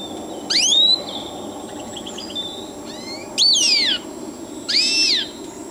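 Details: Siberian goldfinch song made of loud rising-and-falling whistled phrases with rich buzzy harmonics, three main bursts spaced over several seconds, softer twitters between, steady background hum.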